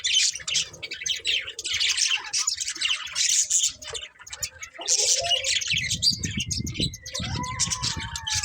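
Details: A group of budgies in scratchy chirping chatter, joined later by clear whistled tones that slide downward, over a steady low rumble in the second half.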